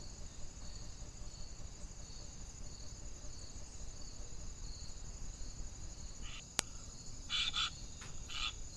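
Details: Eurasian jays recorded by a trail camera on 16 June 2021, giving a few short, harsh, rasping calls late in the recording, two or three in quick succession, over a steady background of high cricket chirring and hiss.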